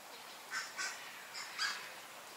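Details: Kenya crested guineafowl in a group of four; two rest while two seem keen to forage but stay and preen, torn over whether to stay or leave. They give four harsh, grating bursts in two pairs, each pair about a third of a second apart, over a faint steady hiss.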